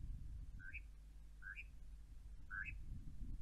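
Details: European nightjars on a windy night giving three short, rising two-part chirps, about one a second, over a steady low roar of wind.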